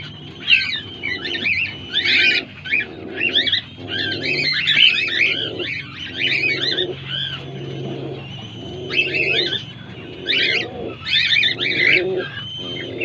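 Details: Cockatiel chicks about five days old give rapid, raspy, high-pitched chirps in repeated bursts.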